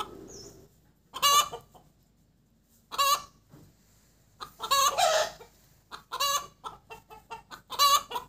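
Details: Laying hen cackling cục tác after an egg: loud harsh squawks separated by quieter gaps, then a tight string of rapid clucks leading into more strident drawn-out notes.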